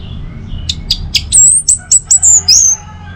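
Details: Orange-headed thrush song for stimulating other birds in the morning: soft clicks and short notes build into a series of thin, very high whistles and upslurs, ending in a drawn-out high whistle.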